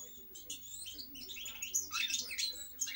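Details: European goldfinch singing a rapid, tinkling twitter of high, varied chirps and trills in short bursts, with a faint steady low hum underneath.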